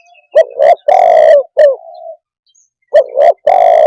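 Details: A single spotted dove phrase: two quick coos, a long loud low note, a clipped note fading into a soft hum, then the next phrase beginning after a short pause.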